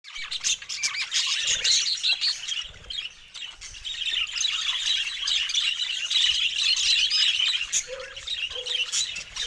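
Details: Budgerigars talking and singing: a dense, continuous warbling chatter of many birds with scratchy squawks and chirps, plus a few short low whistled notes.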